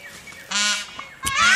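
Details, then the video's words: Indian peafowl giving two loud, harsh, nasal blasts, each under half a second, the second rising in pitch at the end. "Peacock Sound"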